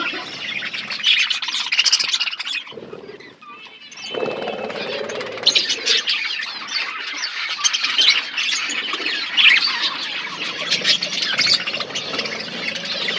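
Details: Budgerigars eating food in an outdoor aviary fill the air with continuous warbling chatter and high chirps from many birds, briefly dipping before resuming as a dense flock chorus.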